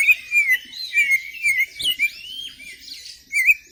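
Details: Contest-bird Oriental magpie-robin (kacer) with a trophy record sings melodious clear whistled phrases, repeated slurred notes roughly every half second with rising and falling sweeps, in a quiet setting.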